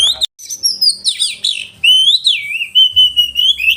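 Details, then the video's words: Sharp "roll tembakan" song of an oriental magpie-robin, played to train caged birds and spur rivals to sing; a clicky opening, then wavering, looping whistles that settle into a long sustained warbling phrase, low hum underneath. "kacer roll tembakan suara tajam"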